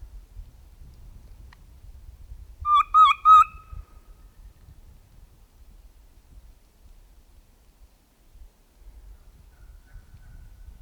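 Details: Fall wild turkey near a roost site, heard during a hunt: three quick clear yelps in a row, then quiet with faint low rumble in the background.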